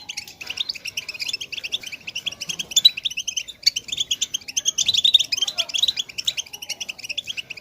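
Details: Softer goldfinch batbata chatter meant to stimulate silent birds: dense, fast twittering with fine, jingling notes building in intensity toward the second half.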